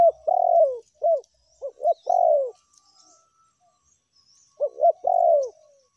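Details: Spotted dove lure recording, tekukur meratus and melambung call styles: a run of rich mid-pitched coos, short hooked notes and long falling ones, repeated twice, with faint high chirps of other birds in the background.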